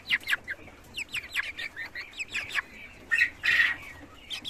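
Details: Cochin chickens in farm cages giving rapid, sharp, downward-slurred chirping calls in uneven clusters, with a louder harsh squawk about three-quarters through.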